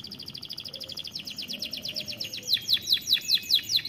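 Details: Canary song: a fast trill of high downslurred notes, about six to eight per second, steady at first then louder and more sharply slurred in the second half, over faint background noise.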